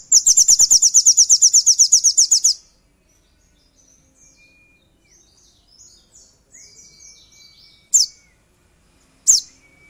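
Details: {'caption': 'Crimson Sunbird (sogon) singing as a lure to provoke rivals: a very rapid, high, even chattering trill of about two and a half seconds, then quiet faint twitters and two sharp high chips.'}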